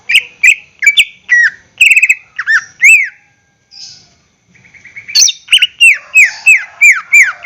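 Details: Greater green leafbird in a cage, singing to prompt other birds to sing: loud clipped chirps and down-slurred whistles in quick succession, a brief pause with a soft buzzy note, then a renewed burst of ringing, repeated phrases.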